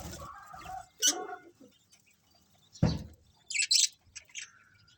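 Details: Budgerigar colony: mixed scratchy chatter and a broad noisy burst, then sharp high chirps in a short cluster, with quiet gaps between.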